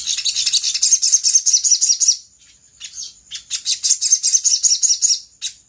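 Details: Sooty-headed bulbul lure song, played to provoke other birds into answering: a rapid, high, twittering chatter in dense bursts, a brief pause near two seconds, then fast repeated chirps resuming.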